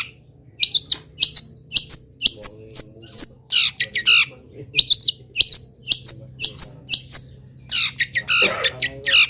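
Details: Long-tailed shrike of a local strain, singing energetically despite its moult and mimicking wild birds: rapid bright chirps, nearly two per second, in uneven runs, ending with a rough grating burst.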